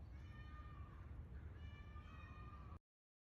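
Two long, nasal, cat-like wails, each held about a second and slightly falling, from an Indian peafowl over heavy low rumbling wind noise.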